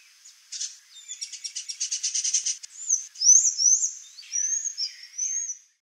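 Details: Swallow Tanager pair, high-pitched calls: a fast buzzy series of clipped notes running for about two seconds, then loud sharp rising squeaks and thin descending whistles, all very high, over light ambient noise.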